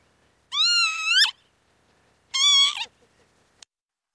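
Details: Northern lapwing calling twice, about two seconds apart: wheezy, harmonic-rich notes that hold level and then twist upward sharply at the end, with faint clicks afterwards.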